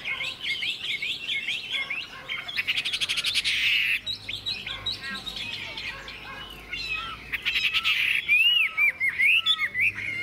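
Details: Chinese hwamei, a tame caged bird praised for its singing, sings in the morning sun: bursts of rapid whistled phrases alternating with rough, noisy chatter, ending in bright, looping whistles.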